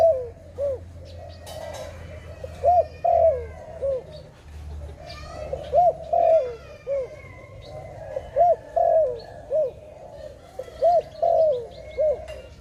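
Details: Dove cooing near a trap: soft, hollow, bubbling coos in short clusters every few seconds, with faint higher chirps of other birds and a steady low hum underneath.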